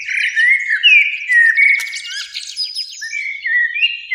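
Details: Eurasian blackbird singing on a spring evening in a beech tree by a lake, with a second blackbird; liquid whistled notes slide up and down beneath a rattling high twitter, in a steady flowing stream.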